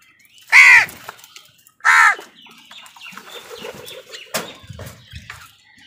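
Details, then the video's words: Crows fighting with wild birds for food: two loud, harsh caws about a second and a half apart, followed by quieter chatter, clicks and scuffling sounds. "কাকের ডাক"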